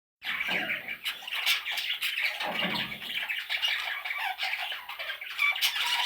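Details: Parrot chicks calling continuously indoors, a dense stream of harsh, raspy squawks overlapping with little pause, loud throughout.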